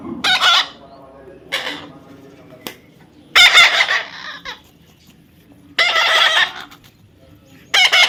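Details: Talking parrot uttering harsh, grating screeches in bursts of under a second, spaced irregularly, with quieter scratchy calls between the louder outbursts.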